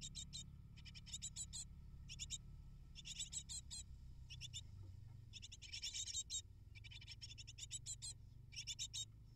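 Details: Great tit chicks in a nest of eight begging for prey from their parents: sharp, buzzy high chirps in separate bursts, some longer and louder, with a faint low hum behind.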